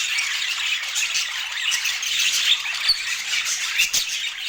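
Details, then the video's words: Budgerigars chirping while they eat: continuous high, twittering chatter from several birds, with a few tiny squeaks piercing the mix and a soft tap near the end. "Daily Healthy Food Routine for Budgies with Sweet Chirping Sounds"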